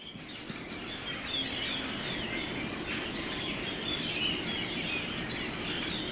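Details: Japanese grosbeaks, a noisy flock of about fifty hidden in a bamboo grove where homes meet wooded hills, Hiroshima, Japan, 10 March 2018; dense overlapping chatter of mid-high chirps and whistles, with a few higher whistled notes.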